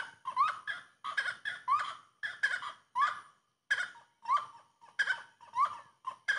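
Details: Grey-cowled wood rail singing loudly: regular phrases of a bright rising whistle slurring into harsh cackling bursts, repeated about twice a second, with one brief pause midway.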